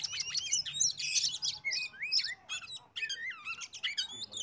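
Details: Oriental magpie-robin lure song to make other birds sing along: loud scratchy chatter at the start, then clear curving whistles and sharp chips in uneven bursts over a faint hum.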